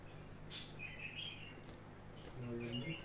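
A budgerigar imitates a bulbul with short, bright chirps and warbled notes in two bursts. A person's low voice talks over the second half.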